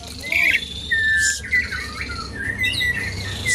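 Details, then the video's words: Asian pied starling song used to lure and train other birds: clear sliding whistles alternating with short harsh hissing bursts, sung in a quick, irregular sequence. "jalak suren gacor pancingan tembakan penambah materi isian burung"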